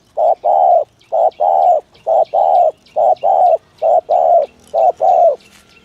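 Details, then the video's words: Spotted dove giving the thổ thúc gù coo for luring doves: low hollow paired notes, a brief coo then a longer one, repeated about once a second, five pairs, with faint chirps of small birds behind. "tiếng chim cu gáy chuẩn thổ thúc gù trang bị cho anh em thợ nhử"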